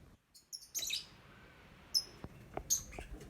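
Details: Lovebird singing in short bursts of high, sharp chirps and squeaks separated by brief pauses, with a couple of light taps.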